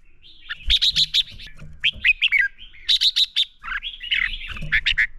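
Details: Red-whiskered bulbul fighting song used as a lure to train birds: dense, fast runs of bright chirping and warbled whistles, almost continuous, with a soft low hum beneath.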